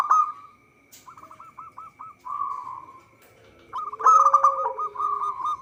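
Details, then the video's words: Local zebra dove singing actively, recording meant as a lure for trapping: a loud opening trill, then a string of quick hooked coo notes, a purring roll, a pause, and a strong rippling trill at the end. A thin steady whine sits behind. "Perkutut lokal gacor suara cocok untuk pancingan."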